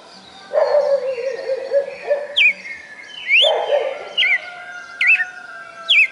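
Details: Red-cowled cardinal, a caged bird kept for four months in Fortaleza, Ceará, Brazil, whose song is praised as perfect with more than twenty notes; a low wavering tone then sharp, high, sliding whistled notes roughly once a second.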